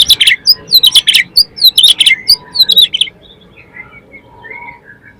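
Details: Oriental magpie-robin lure song, described as clear and open-voiced, meant to excite other magpie-robins into singing their repertoire. Loud, rapid bursts of sharp high whistles and chirps for three seconds, then faint scattered notes over quiet background.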